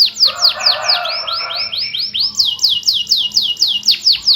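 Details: Canary in full rolling song, used as a prompt for canaries that will not sing: repeated falling whistles over a warbling lower chatter, then an unbroken chain of crisp downward sweeps.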